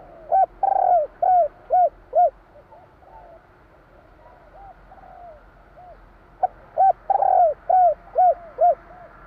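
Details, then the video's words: Javanese spotted dove in the 'kur 3' song style, two repeated phrases of soft cooing, each opening with a prolonged wavering coo and ending in three or four short, evenly spaced arched coos. "Suara tekukur kur 3 besar / burung tekukur suara/Terkukur Kuk 3/ bunyi burung tekukur jawa kuk 3"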